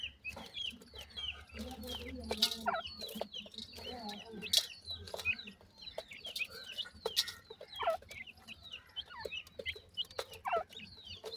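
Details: Young grey francolins, teetar chicks, calling while parents feed them: a busy chorus of short, high, curved peeps and chirps at uneven intervals, with soft low murmuring in the background.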